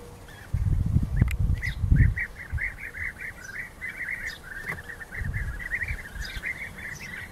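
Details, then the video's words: European bee-eaters in rival fights call in rapid rolled notes, a near-continuous chatter, while low thumping bursts sound early and again near the end, possibly wing flapping. "Rivalenkämpfe Bienenfresser"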